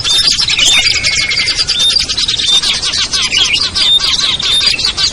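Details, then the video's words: Small-bird lure sound with ciblek, kutilang, trucuk, sogon and perenjak, intended to bring reluctant birds down; constant high chirping and twittering, with a long lower whistle near the start and clear short whistles recurring. "SUARA PIKAT BURUNG KECIL burcil AMPUH"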